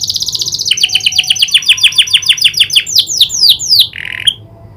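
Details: Canary trained to imitate the prinia's clicking call, singing loudly: a fast high trill gives way to a run of repeated descending, sharply clicked notes about four per second, ending in a brief buzzy phrase.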